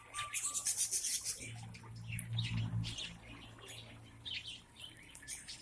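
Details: Caged mixed lovebirds in Aceh Besar giving rapid, overlapping shrill chirps and twitters, busiest at the start, over a low humming tone in the background.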